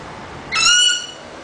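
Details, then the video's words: Eclectus parrot, a 4-year-old male, gives a single half-second, high, clear, slightly rising spoken-word sound over faint room hiss while being coached to say "darling" and "hello". "Eclectus Parrot Talk Darling Hello"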